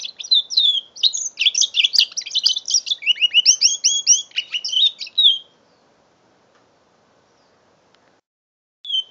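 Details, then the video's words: Five-month-old mule canary, a caged canary hybrid, singing a rapid varied warble of chirps and trills for about five seconds, then silence with a brief restart at the end; recorded on a phone, November 2011. "My 5 months old mule canary"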